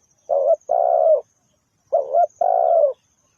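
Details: Spotted dove, as heard in bird-trapping lure recordings, giving two couplets of coos: a short wavering note then a long even one, repeated after a brief pause; no other sounds.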